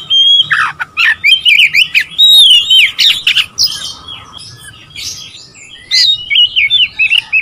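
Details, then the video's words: Oriental magpie-robin singing to stir up rival birds. Bright whistled notes and quick chirping trills come in dense bursts, with a quieter stretch midway before lively phrases resume. "memancing emosi Kacer lawan"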